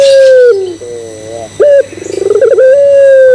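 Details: A single full coo phrase from a puter pelung, or Barbary dove, used as a lure to get others cooing: a falling long note, a tremulous low section, a sharp high clipped note, an accelerating pulsed stutter, then a long level note.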